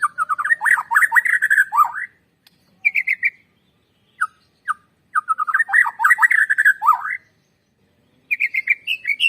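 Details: White-rumped shama singing, played to provoke birds into song: bursts of rapid varied whistles and chatters separated by short pauses, with brief isolated notes and a higher whistled phrase closing.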